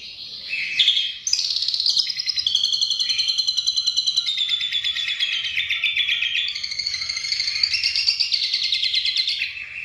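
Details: Asian pied starling singing with an imitation of a lovebird's long 'ngekek' chatter: an unbroken, rapid, buzzy high trill that shifts pitch in steps for almost ten seconds, with a faint low hum underneath.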